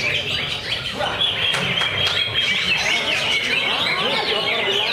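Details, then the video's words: Caged greater green leafbird in a lovebird cage, singing in the ngentrok style, full of fill-in phrases with tight, trembling bursts. Dense, continuous high warbling with sliding whistles and rapid trills. Low human chatter runs underneath. "Cucak Ijo Kandang Lovebird Ngentrok Full Isian, Nembak Rapet Geter Geter"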